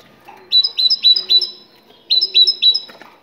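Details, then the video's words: Two bursts of ringing, metallic two-part whistles from a Moroccan great tit, four then three notes in quick rhythm, with faint low background hum. "تغريد الحداد المغربي الأصيل"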